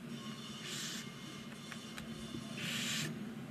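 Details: From a nest box on a chimney in Ságvár, Hungary, nine barn owl chicks at day 19 give two breathy hissing rasps roughly two seconds apart, with a few faint clicks in between and a constant low hum.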